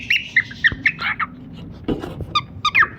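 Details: Brief cockatiel chirps from a pet pair, a few clear falling notes then a pause with a thump before more short calls.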